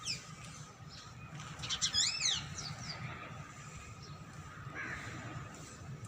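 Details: Wild ringneck parrots visiting a home give a short burst of harsh, rasping screeches that rise and fall in quick succession near the middle, over a steady electrical hum and low background rumble.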